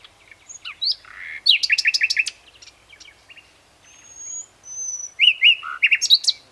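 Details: Loud song phrases from a common nightingale, Luscinia megarhynchos: a rapid burst of about eight repeated sharp notes, softer chirps, long high whistles, then another fast run of chattering notes.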